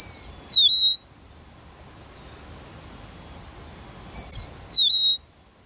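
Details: Rufous-naped Lark on a burnt tree stump serving as its song post, giving a two-part whistled phrase: a short high note, a brief pause, then a longer downslurred whistle. The phrase repeats about four seconds later against quiet surroundings.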